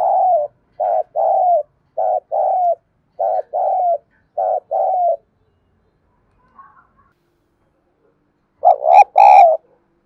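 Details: Spotted dove decoy sound played so other doves answer with cooing: repeated paired coos, hoarse and slightly wavering, about one pair per second for five seconds, a pause, then a final louder, harsher pair.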